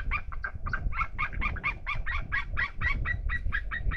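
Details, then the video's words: Two eagles call out of view at a seal cam in Estonia on 2021-08-27: a fast series of sharp, yelping notes, about four each second, over a steady low rumble of wind and water. "two Eagles call out of view"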